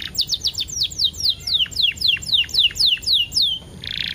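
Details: Canary song meant to draw other canaries into singing: a steady series of loud downward-sweeping whistles, about four per second, ending in a short buzzy burst.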